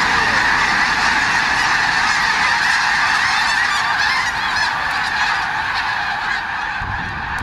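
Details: Massed sandhill cranes taking off as one group at Bosque del Apache refuge, November, Festival of the Cranes: countless overlapping rattling, bugling calls merge into a loud continuous clamor, easing slightly toward the end.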